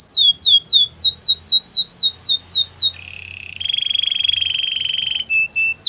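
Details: Canary singing quick descending whistled notes about four per second, then dropping into a low buzzy roll and a longer steady rolling trill.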